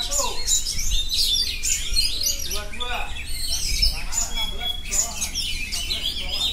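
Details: Oriental magpie-robin delivering a continuous rolling song in the ngerol style: rapid, varied high whistles, chirps and trills pouring out without pause, over a steady low hum and faint background voices.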